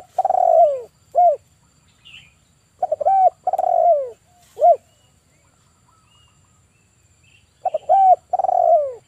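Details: Actively calling male spotted dove used as a trapping lure, voicing 'kuk 1' phrases. Quick broken notes slide into a long, mellow, descending coo, then a single clipped note. The phrase comes three times, and the background stays quiet.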